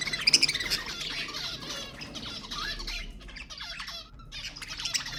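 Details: Budgerigars chattering, used to stimulate pet budgies: soft, blurred warbling and squeaky notes running continuously with a few louder chirps at the start.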